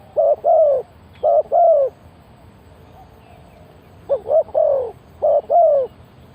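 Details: Spotted dove decoy luring wild birds, uttering two double coos, a silent pause of about two seconds, then two more, each ending in a drawn-out downward-sliding note.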